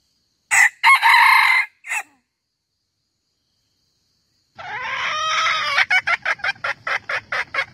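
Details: Red junglefowl calling as a trapping lure: a short loud harsh burst of notes, a pause of silence, then a rising crow trailing into rapid repeated clucks.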